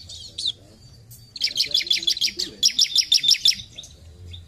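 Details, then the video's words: Bar-winged prinia (ciblek) singing actively, a 'gacor' bird: after a brief opening chirp, two fast runs of high, sharp repeated notes, each run about eight or nine notes, with low background hum. "Ciblek Gacor"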